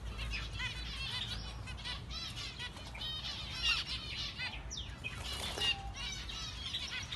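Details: A busy chorus of orange zebra finches, with short nasal beeping calls overlapping from several birds at once.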